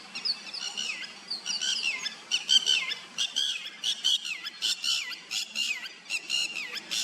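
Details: White-browed wagtail feeding in a village wetland; a busy run of sharp, high, downslurred chirps repeated rapidly and unevenly, about one and a half per second, over low rural background noise.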